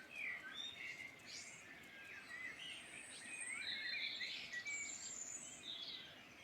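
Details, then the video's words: A dense chorus of birdsong recorded in the Midlands of Ireland, with jumbled high twitters, fast trills and clear whistles repeating several times a second. Many songsters overlap continuously over a faint hiss. "Beautiful birdsong in Ireland Midland"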